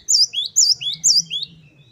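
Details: Great tit singing in 'wucit-wucit' style for training: three clear two-note phrases, a high whistle followed by a lower rising note, spaced about half a second apart over a faint low hum.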